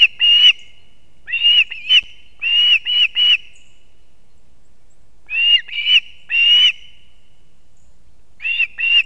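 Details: Nest scene in Latvia, 3 September 2024 at 6:40 am: the osprey father carries two fish to his young; clipped whistled calls in small groups of two or three with long quiet gaps.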